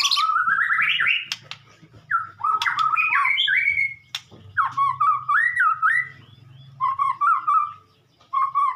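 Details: White-rumped shama singing during morning sunning: a rich run of clear whistled phrases, rising and falling, some warbled and some drawn out, broken by a few sharp clicks, with a low steady hum underneath.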